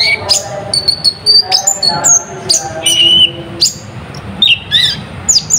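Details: Natuna-type olive-backed sunbird, its song stuffed with borrowed phrases and played to rouse other birds: a busy run of high piercing chips, short flat whistles and trilled notes, with faint low tones behind.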